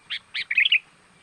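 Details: Sooty-headed bulbul lure call meant to attract wild birds: two quick bright notes, then a fast bubbling, gurgled phrase, all within under a second.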